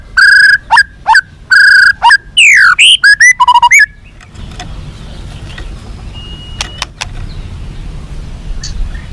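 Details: White-rumped shama fighter song, used to make captive young birds more responsive and aggressive: loud, rich whistled phrases with strong overtones, some rising and falling, packed into the first four seconds, then only quiet background hiss with a few faint clicks.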